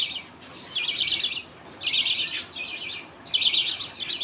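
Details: Budgerigar colony at feeding time, the father feeding two chicks as others wait. Softer, wavering buzzy chirps come in loose groups, with a few sharp clicks between them.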